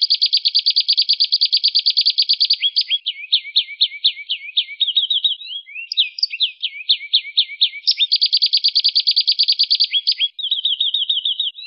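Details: Strong rolling canary song for tutoring songbirds, alternating fast buzzy trills with series of swooping down-slurred notes and a smooth rattle, repeated in phrases over nearly twelve seconds, no background noise.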